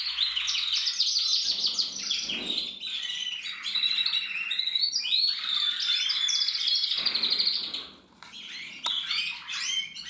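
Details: Male canary singing in 2024 delivers long, varied bursts of twittering and tight trills, with short chip notes and a brief pause near the end.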